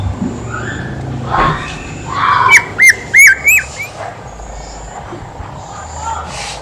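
Horsfield's babbler gives a quick run of four loud, clear whistled notes, each sliding upward, over a steady hiss of background noise.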